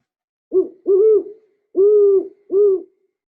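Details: A great horned owl (Bubo virginianus), a common owl, gives four deep, soft hoots over about two and a half seconds (short, two longer, short), a call for claiming territory and attracting a mate.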